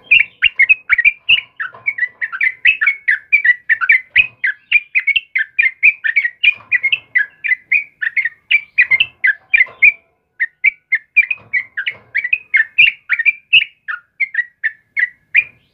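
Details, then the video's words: A sooty-headed bulbul sings vigorously in the morning, giving a long unbroken run of quick, bubbly, warbled whistle notes, several per second, with one brief pause near the middle. "TRUCUKAN JENIS APAPUN PASTI RESPON DENGAN TRUCUKAN KEBO INI || suara burung trucukan GACOR PAGI HARI"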